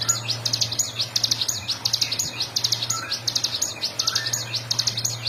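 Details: Continuous 'ngebren' song of a bar-winged prinia, used as training material for songbirds: very fast, high, rattling chains of sharp notes pouring out nonstop, with a faint low hum beneath.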